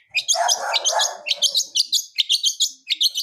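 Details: Blangkon-type wild long-tailed shrike singing with full fills: a rough, raspy chatter beneath rapid high chirps, followed by clipped, evenly spaced bright notes.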